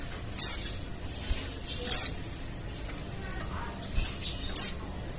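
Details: Wild Oriental white-eye calls used as therapy sound to provoke other white-eyes into answering: three thin, very high, downward-sliding notes spaced irregularly about every one to two seconds over a quiet, faintly hissing background.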